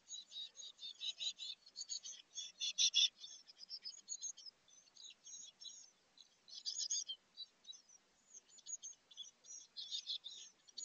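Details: Chickadee nestlings in a birdhouse, 2024, near fledging and testing their wings: a steady, high-pitched chorus of rapid, buzzy squeaks and chitters, rising in louder bursts every few seconds.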